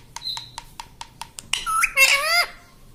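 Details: Household talking parrot, said to speak the word "mummy": a regular series of soft clicks, then a loud, harsh, wavering squawk with bending tones near the end.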